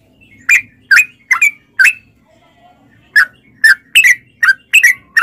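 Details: Caged-bulbul lure of a sooty-headed bulbul: spaced, sharp chirped notes in two groups separated by a quiet gap, each note a quick bright slur.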